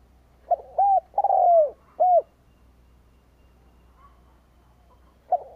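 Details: Cooing Spotted dove used as a decoy to draw in wild birds, giving one full phrase of short coo, arched coo, long sliding coo and closing coo, then quiet until another note begins at the end.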